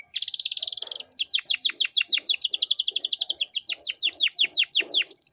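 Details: Canary song recorded as a master for young birds to learn: a fast high trill followed by a long run of rapid falling whistled notes, with faint low knocks in the background.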